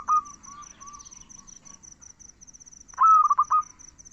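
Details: A zebra dove delivers one bright phrase near the end: a quick rising note followed by a rapid run of clipped, stuttering coos. Faint softer coos come earlier, under a continuous high-pitched insect pulse.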